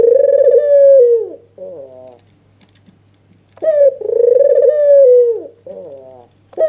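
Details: White red-eyed (albino) dove giving an agitated nodding lure call: long rolling coos near one pitch that sag at the end, each followed by a shorter wavering note, two phrases in under seven seconds, with a faint low hum.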